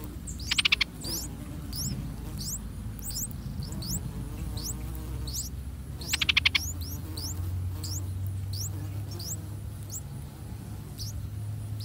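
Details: Streak-eared bulbul nestlings, three days old, being fed by their parents in a nest in a water jasmine tree outside a house. Thin upward-sliding squeaks come in quick irregular runs, broken twice by short rough bursts, above a low background rumble.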